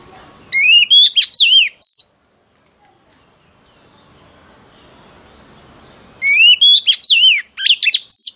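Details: Wild-caught female oriental magpie-robin singing to stimulate males: two bursts of loud, clear whistled notes, some sliding down and some rising, about a second and a half each, separated by several seconds of quiet rustling background.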